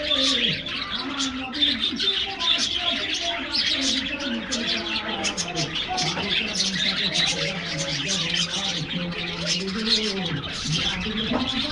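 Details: Happy budgerigars in an aviary on a morning treat: a constant stream of bright, scratchy twittering, over low wavering cooing notes that rise and fall in steady pulses.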